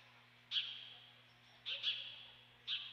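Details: Three piercing, squealing cries from an osprey at the Dunrovin Ranch nest, 28 May 2013. The middle cry is doubled. A steady low hum sits in the background.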